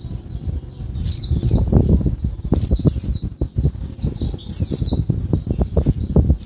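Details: Daytime calls of a female Oriental white-eye, used to rouse males into singing: shrill descending squeaks in clustered bursts, partly buried under loud low rumbling and tapping.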